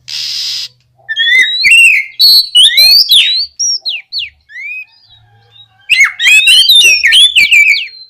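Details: Oriental magpie-robin song for stimulating other magpie-robins to sing, starting with a buzzy hiss, then rising whistles, slurred notes and a fast closing sequence of bright, up-sweeping chattering phrases.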